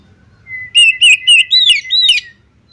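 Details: Oriental magpie-robin female calling the male. A level whistled tone leads into a string of five strong, rippling, rise-and-fall notes in a clean recording with only faint low background rumble.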